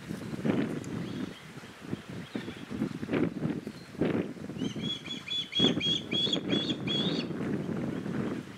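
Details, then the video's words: Young osprey, just fledged, begs its father for food as the mother and second fledgling circle; a rapid burst of piercing whistled chirps near the end, with heavy low wind buffeting throughout. "Osprey Fledgling Begs Father to be Fed"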